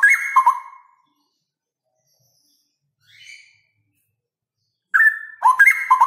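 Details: Male Straw-headed bulbul singing in the loud rapid 'ropel' style: a short burst of rich, bubbling whistled notes sliding between low and higher pitches, a quiet gap with one faint note, then another loud warbling phrase.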